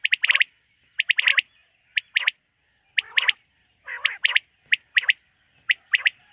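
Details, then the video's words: Quail heard calling after dark, a bird people hunt: snappy two- and three-note phrases, high-pitched and clipped, repeating steadily about once per second, with a few harsher, lower bursts mixed in. "Bater ki rat wali awaz ۔۔quail sound of night"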